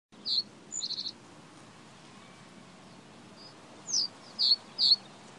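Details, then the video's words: Reed bunting singing: a sharp high note, then a quick run of four buzzy chips, and after a pause three separate high descending slurred notes, over steady low background rumble. "Reed Bunting"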